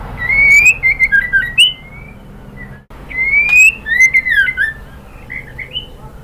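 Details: White-rumped shama female calling for the male, giving two short phrases of bright, slurred whistles with sharp chips, over a constant low-pitched hum.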